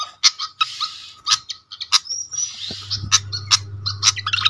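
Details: Malaysian pied fantail lure call used to call other fantails in quickly: sharp, squeaky chattering notes and sudden clicks mixed with thin rising whistles, and a low hum entering partway through.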